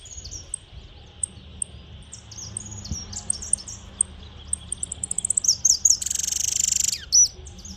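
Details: Saffron finch, one of the keeper's birds, out in the countryside, singing high, sharp chirps that start sparse and speed up into a fast run of repeated notes, with a short hissing burst near the end.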